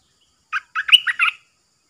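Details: Caged decoy bulbul singing on 13 April 2021 to lure wild birds in: a short burst of rich, bubbling, warbled notes lasting under a second, rising and falling in a quick phrase against silence.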